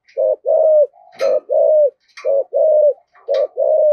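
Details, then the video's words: Decoy spotted dove from Vietnam with a thổ-style voice, cooing in steady pairs: a brief note followed by a longer level coo, about one pair per second, with sharp knocking clicks between the pairs. "Chim Cu Mồi, chim cu gáy giọng thổ thúc gù và gáy gọi hai hậu rất chuẩn"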